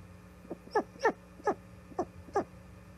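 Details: Osprey at the Charlo nest on 5 September 2021, giving a series of sharp, rising, harmonic chirps, five notes spaced roughly every half second over a steady low hum.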